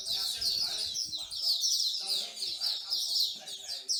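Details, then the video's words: Songbirds at a bird singing corner in Singapore, a pastime of bird lovers; a dense chorus of overlapping high chirps and warbles runs throughout, with low murmuring voices underneath. "Bird Singing Corner"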